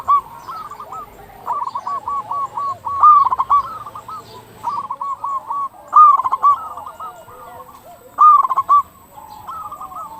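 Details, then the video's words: Local zebra dove singing hard, used as a lure so other zebra doves start calling: overlapping phrases of fast clipped coos and rolled notes, loud bursts roughly every two to three seconds, several doves audible. "Perkutut lokal gacor suara paling ampuh untuk pancingan burung perkutut agar cepat bunyi"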